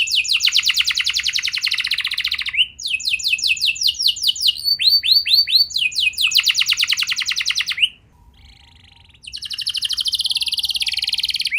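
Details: Canary song for triggering young canaries to sing, long sequences of fast buzzy trills and repeated slurred high notes varying in speed, with a quiet break near the end before a dense trill resumes.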